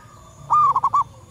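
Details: Call of a local wild female zebra dove, used for luring birds: a long clear note followed by a quick triplet of short coos, quiet background.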